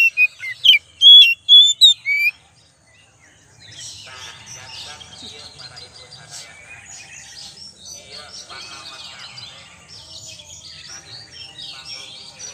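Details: Oriental magpie-robin lure song: about two seconds of loud, sharp whistled notes, then a long stretch of faint, busy twittering and chattering at low volume.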